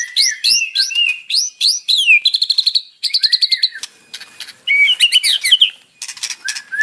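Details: White-rumped shama (murai batu) song with mimicked fills, played in the morning to provoke a caged bird's response. A series of quick rising whistles runs into rapid trills, then buzzy, scratchy notes and sharp rising slurs.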